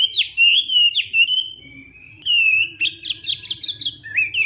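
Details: Hwamei giving a fighting-style morning song during voice training: loud, rich whistled phrases sliding up and down, a brief quiet gap near the middle, then quick looping notes rising in pitch.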